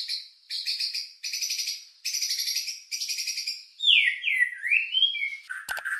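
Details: Lure song of a white-rumped shama with rich filler, used to arouse emotion and breeding drive: a run of buzzy rattling bursts, then smooth whistled slurs sweeping down and up, ending in a sharp note.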